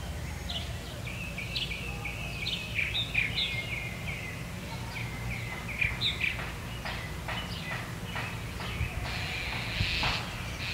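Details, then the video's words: Young mockingbird fledgling being fed by an adult: short chirps and harsh, raspy notes at mid-high pitch, repeated irregularly, with louder broadband rasping bursts near the end, over a steady low background rumble. "A Young Mockingbird Fledgling - Being Fed by the Adult"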